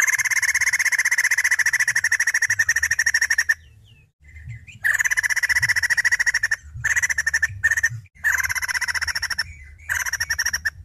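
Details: Female white-crested laughingthrush delivering long stretches of rapid pulsed chattering, a pause, then several shorter choppy bursts.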